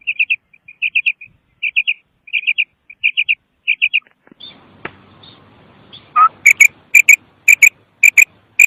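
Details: Female common quail kirk calls: first a run of quick triple-note bursts, then after a short gap louder, sharper doubled notes repeated roughly twice a second, all against a quiet background.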